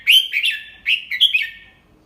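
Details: Red-whiskered bulbul singing a clear, slow 'double-3' style tutor song for young birds to copy: two fluid whistled phrases with sliding, warbling notes, fading at the end.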